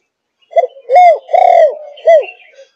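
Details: A four-month-old Malaysian spotted dove of the 'thúc gù' cooing line gives a soft, low coo in four notes: a short opening note, two longer rounded notes, and a final short one.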